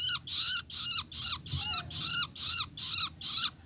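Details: Juvenile long-tailed shrike giving harsh, raspy, squawking notes repeated steadily about two to three times a second, each note broad and grating with a slight downward bend, eight calls in close succession.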